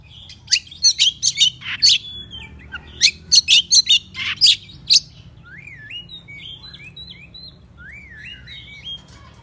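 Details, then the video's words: Excited Oriental magpie-robin in morning song used to rile up other magpie-robins. Two rapid volleys of harsh, sharp chattering notes are followed by softer, looping whistled phrases that rise and fall, with no other clear sounds. "Pancingan Kacer Bikin Emosi Agar Kacer Gacor ! Buka Ekor Ngobra"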